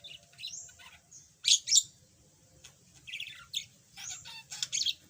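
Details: Yellow budgerigar that was mute and now chatters a little, giving scattered squeaks, soft chatter and a couple of loud harsh screeches with short gaps between them.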